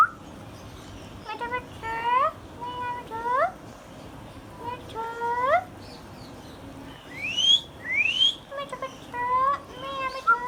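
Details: Green Indian ringneck parakeet, a hand-tame pet, talking: repeated rising, voice-like syllables in short bursts, then two high rising whistles, more talking and a final whistle.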